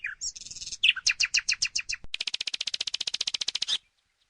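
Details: Song of the common nightingale: a few high whistles, then a series of loud repeated notes about five per second, breaking into a fast, even rattle of rapid repeated notes that ends abruptly.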